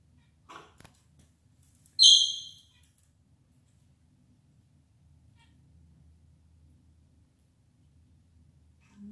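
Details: Pet moustached parakeet trying to console another parrot indoors; after a faint click, it gives one short, loud, harsh screech rich in overtones, followed by a quiet room.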